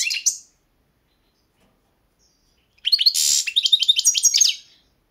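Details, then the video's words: European goldfinch of the Balkan subspecies balcanica, entered in the 2022 world championship of goldfinch song: short high chirps, a pause, then a fast run of sharp, tinkling and buzzy notes lasting about two seconds. "Pesma štiglića 008/22 World Championship in Goldfinch Song"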